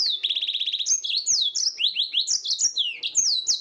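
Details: Yellow-fronted canary singing at night, loud and continuous: it opens with a rapid even trill of short notes, then pours out a tumbling string of high, sweet, downslurred whistles, each phrase sliding quickly downward.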